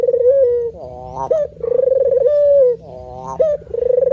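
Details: Cooing male spotted dove (manggung): a steady mellow coo, a quick rising hiccup note, then a grainy pulsed coo and another smooth sustained one, repeating in a loose rhythm.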